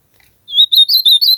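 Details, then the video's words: Ultramarine grosbeak singing in nature: a loud, fast series of clear warbled notes, each slurred and bouncing in pitch, delivered without pause over about a second. "AZULAO CANTANDO MUITO NA NATUREZA"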